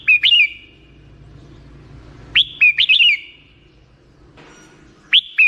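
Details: Black-crested bulbul singing in short bursts of quick, warbling whistled notes that loop up and down, with gaps of near silence between phrases.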